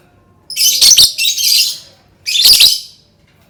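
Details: Lovebird sounds used to prompt other lovebirds to sing: two loud, raspy screeching bursts, the first doubled and drawn out, over a quiet background.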